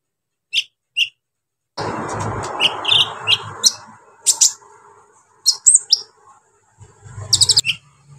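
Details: Brown-throated sunbird singing to provoke other sunbirds: scattered high chirps and trills, partly masked by a burst of broad rushing noise, with a quick cluster of sharp notes near the end.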